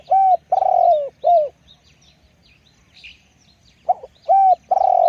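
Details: Spotted dove delivering a deep, soft cooing phrase: a coo, a long burry coo sliding down, and a falling final coo. After a pause a second phrase begins with a stuttered note. Faint bird chirps are in the background.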